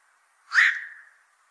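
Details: One loud, rasping quok from a black-crowned night heron, known as a voracious fish eater at fishponds; the call is abrupt and harsh, then fades quickly over a faint background hum.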